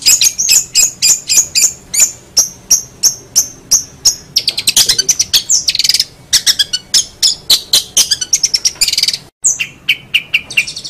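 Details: Long-tailed shrike singing continuously for songbird training: evenly spaced, high, sharp whistled notes shift into a dense, fast medley of chips, buzzes and squeaky trills, with one brief break near the end.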